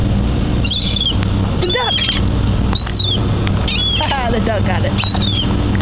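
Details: Gulls crowding a waterside dock call in short, high, thin mewing notes that rise then fall, several separate calls spread across the stretch, over constant low rumbling background noise.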